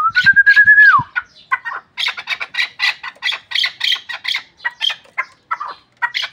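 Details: Chukar partridge of Pamir hunting stock. A smooth, steady whistle about one second long opens and then drops away, followed by a run of rapid, harsh, chattering clucks repeated about three times a second.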